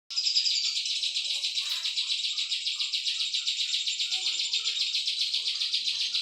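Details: Cisaw singing, a recording meant as a tutor for training songbirds; a long rapid high trill of buzzy repeated notes, steady and unbroken for several seconds.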